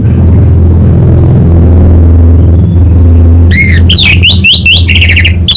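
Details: Orange-headed thrush kept in Singaraja, North Bali, singing hard: after a long stretch of only low mechanical hum, a dense run of loud, rich, slurred and rasping phrases follows in rapid succession.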